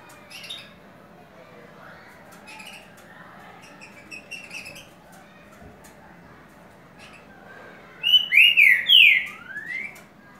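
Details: A Green-winged Saltator sings a "curricutil com boi" (boiadeiro-type) song: soft scattered chirps, then one loud, rich phrase of slurred, swooping whistles near the end, over a low background hiss.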